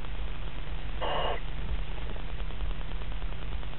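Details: Barn owl on 16 February 2011 giving a single harsh, hissing screech, under half a second long, over a steady low engine-like rumble.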